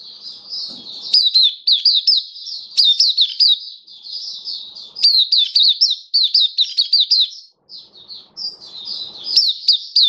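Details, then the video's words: Captive Oriental white-eye, 27 October 2022, supplement trial day seven: long bouts of piercing, fast-tumbling high notes in clustered phrases, separated by short gaps. "Mata Puteh Kitaro Buka Sing"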